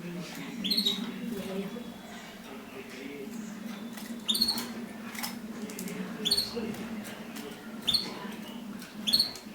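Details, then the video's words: Mosaic canaries during mating give short, sharp, rising chirps about every two seconds, each ending in a bright high note, over a steady low hum and faint indoor murmur. "تزاوج طيور الكناري المزييك"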